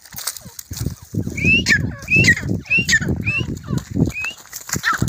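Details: Grey francolin (desi teetar) calling during a fight: a series of short, harsh, rising notes repeated about twice a second, over a steady low rumble of background noise and murmuring voices.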